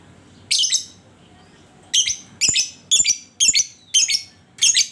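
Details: Lovebird calling as a lure (panciangan) to prompt other lovebirds to sing: harsh, raspy squawk bursts, first a double burst, then after a pause a rapid series of six more at roughly half-second intervals.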